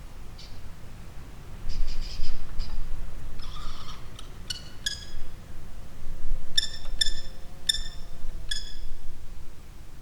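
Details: Kestrel calling in a slate quarry in Wales where choughs nest, recorded by a hidden drop rig: sharp, high, ringing notes, a few buzzier ones first, then four clear notes under a second apart, over steady low wind rumble.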